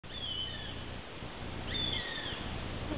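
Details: Juvenile northern goshawk on a summer day, 23 July, at Ähtäri, Finland: two thin, high, drawn-out whistled calls sliding downward about a second and a half apart, over a steady low rumble.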